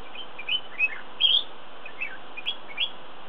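Flame-throated bulbul giving about six short, bright chirps at uneven intervals over three seconds, one louder slurred note in the middle, against a soft steady hiss.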